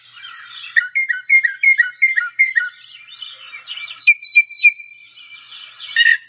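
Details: Northern Mockingbird (Mimus polyglottos) song from a Northeastern U.S. early-successional bird guide: varied high mimicked phrases, each repeated three or more times in quick succession, including a run of four similar notes, then a clear whistled series.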